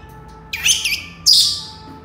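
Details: Whistling Senegal parrot: a wavering, bubbly high note followed after a brief gap by a brighter, stronger note that trails off slowly; low background hum throughout.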